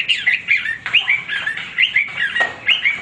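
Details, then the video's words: Male hwamei giving short whistled phrases that rise and then fall, repeated roughly every half second, somewhat rough in tone. "wambi gacor berkicau tanpa henti"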